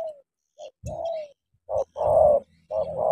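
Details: Spotted dove used as a decoy facing a wild bird it means to fight: brief coo, a long falling coo, then two loud drawn-out coos, with soft low knocks between them.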